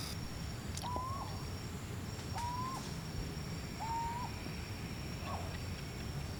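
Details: Philippine scops owl, an endemic of Luzon and the Visayas, Philippines, giving a short, mellow whistled hoot that rises slightly, repeated about every one and a half seconds over a steady low rumble and a faint high insect hum.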